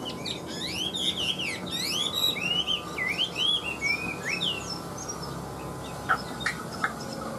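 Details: Loud, clear song from a caged Chinese hwamei with new plumage and a large frame: rich looping whistles, arched and down-slurred phrases delivered rapidly, then a pause broken by a few sharp clicks near the end.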